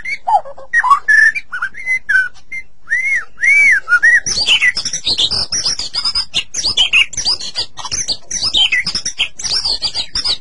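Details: White-rumped shama, kept in captivity, singing to stimulate other shamas: looping whistled notes and arched rising-falling whistles, then a long stretch of fast, dense, mimic-like high chatter.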